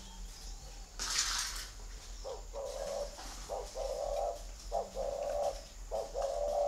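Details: Spotted dove at a dove-keeping farm in Ba Vì, Hanoi, Vietnam, giving the cooing style called gù thổ: low, hollow coos in phrases with short breaks, after a brief rustling burst, with faint chirps from other birds.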